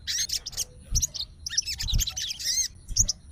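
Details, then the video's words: Sooty-headed bulbul, described as a fighter bird responding to a rival, pours out a quick jumble of high squeaky twitters and upward-swept notes. Soft thuds come from beneath. "SOGON FIGHTER LANGSUNG RESPON DENGAR SUARA SOGON GACOR"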